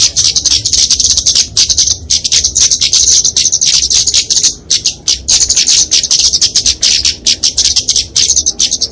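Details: Flowerpecker of genus Dicaeum giving fighting song used as training and lure audio: sustained stream of piercing high ticks and trills over nine seconds, pausing briefly around the middle.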